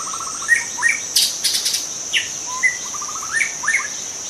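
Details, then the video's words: Forest-dwelling young White-rumped shama, wild, with a rapid series of identical short notes, upslurred whistles and another fast note series, against a steady high insect drone and brief noisy bursts. "Kicau murai muda hutan"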